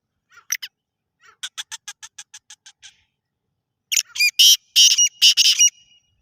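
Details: Black francolin calling: a pair of rough notes, a rapid ticking series of about a dozen short pulses, then a burst of loud, harsh, grating notes.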